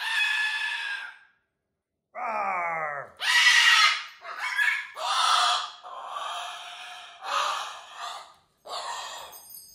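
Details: Pet cockatoo indoors, giving a string of harsh screeches and chattering squawks, one smoother wavering note among them, with short quiet gaps.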